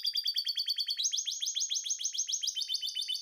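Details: Canary (kenari) in breeding condition singing: fast repeated high notes, a rapid trill of short syllables that switches after a second to a slightly slower series of downward-sweeping notes, delivered without pause.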